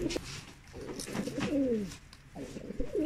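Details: Low rolling coos from Mukhi fancy pigeons, a domestic breed, with gliding downward notes that overlap and are broken by short pauses and a few light knocks.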